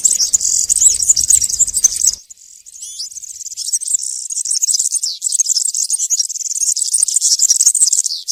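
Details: Country-style song of a European serin in the forest, used to teach young birds during moult: a two-second jangling phrase, a brief dip, then an unbroken six-second run of rapid, very high, squeaky and buzzy notes.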